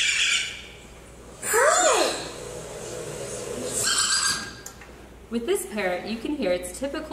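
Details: A captive parrot, recorded indoors, gives harsh squawks and a looping, falling screech, then a string of short throaty, speech-like syllables including the learned word "high".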